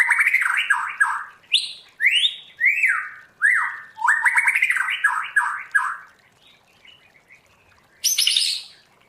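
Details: White-rumped shama in forest-voice song: a rapid string of downslurred whistles broken by upswept notes, then a pause. One final high buzzy phrase follows.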